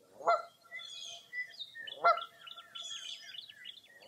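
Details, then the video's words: Two loud honks about two seconds apart ring out over Mirror Lake State Park, Wisconsin, on a foggy early April morning, while busy high warbling song and chirps run underneath and continue to the end. "Birding By Ear at Mirror Lake State Park"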